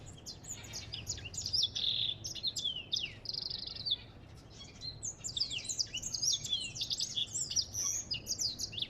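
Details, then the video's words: An African goldfinch twitters energetically, with high jangling notes and buzzy phrases, a brief softer dip around four seconds, then a renewed rush of sliding whistles. "اسمع صوت الحسون الافريقي"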